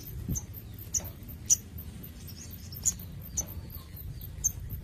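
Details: Crimson sunbird kept under intensive care, giving sharp, very high ticks spaced roughly a second apart over a low background hum.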